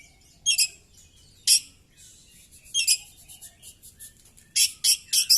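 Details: Oriental magpie-robin singing during a fighting display with its tail spread open; scattered rasping, chattering notes come singly and in pairs, with softer faint notes between them.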